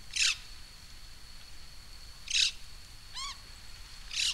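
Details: Black-throated magpie-jay at Rancho Primavera, El Tuito, Jalisco, Mexico, giving harsh, rasping squawks about every two seconds, with a quick series of rising, ringing notes between them; a thin steady whine runs underneath.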